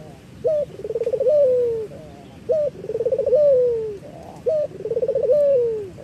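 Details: Eurasian collared dove used as a training lure, cooing in a steady cycle about every two seconds: a short sharp note, a quick rolling burble and a long falling coo, heard three times.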